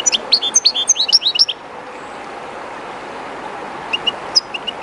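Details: One of the owner's kept European goldfinches, somewhat shy in an unfamiliar spot, sings beside the flowing Jerte river. It gives a quick burst of bright, tinkling twitters lasting about a second and a half, pauses, then adds a few high chips over steady rushing water.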